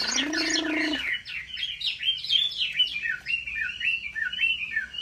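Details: Chinese hwamei singing in a competitive style, a bird trained at home; a rich, fast run of varied whistled and slurred phrases, preceded by a short, low, buzzy harmonic tone lasting about one second.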